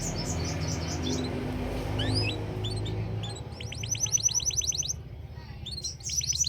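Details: Canary singing: scattered high chirps and slurred rising notes, then a rapid run of about a dozen evenly repeated high notes, and another short trill at the end, all over a steady, loud, low rumbling hum.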